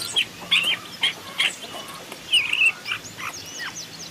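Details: Long-tailed shrike in forest, recorded as a decoy and master: rhythmic phrases of harsh, scratchy mid-high notes roughly every half second, then a longer buzzy phrase and softer slurred whistles.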